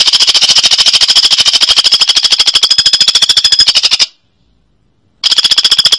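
A woodpecker gives a long, fast, high-pitched rattle of even ticking notes, about twenty a second. It breaks off abruptly for a second of silence, then resumes.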